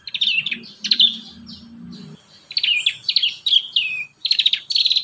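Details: Training song for young prinias: a prinia gives clusters of sharp chirps and short trills in quick bursts, with a soft low murmur in the first two seconds.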